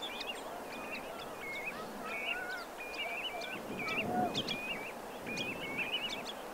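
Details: Common linnets calling on a beach at Pointe de Penvins, Morbihan, on 28 September 2022 in autumn: quick, short twittering chirps in rapid loose runs, with small calls of various waders behind and a steady rush of surf.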